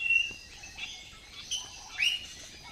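A cockatiel gives a few short, clear whistled chirps, spaced apart over soft background hiss.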